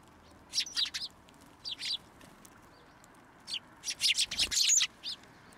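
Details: A group of sparrows arriving at a post to be fed, Tenmangu shrine, 2 January 2023; sharp high chirps in small clusters, with a dense burst of overlapping calls near the fourth second and a brief soft thump.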